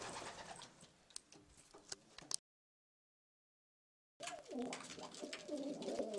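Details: Istanbul-type domestic pigeons with pearl or red eyes, a low rolling coo with curving tones in its second half after a gap of silence, preceded by sharp clicks, taps and rustling from the birds' surroundings.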